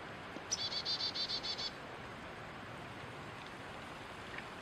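A red-bellied woodpecker gives one quick burst of about seven clipped, high chattering notes lasting about a second, over a steady background hiss.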